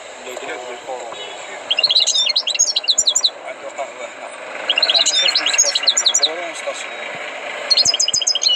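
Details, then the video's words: Trained, tutored European goldfinch singing: three bursts of rapid, jangling, twittering high notes, each lasting about a second and a half, separated by pauses, over steady background hiss and faint low murmuring. "غناء حسون قمة في الأداء غلطة لا _Chant du chardonneret"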